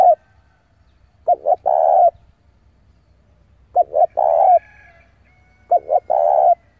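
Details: Decoy spotted dove luring rivals to fight: repeated coo phrases about every two and a half seconds, each two short notes then a sustained low hoot.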